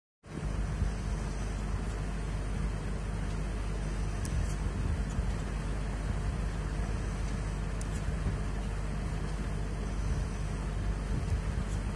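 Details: Steady low rumble of road traffic and engines, with no animal voices. A few faint high clicks stand out above the broad vehicle noise.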